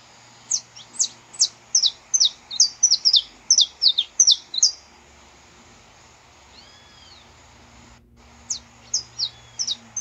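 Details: Song of a saffron finch recorded live in nature, used to warm up other saffron finches: a fast string of high, sharp chirping notes for four seconds, a pause with a faint distant call, then a few more chirps.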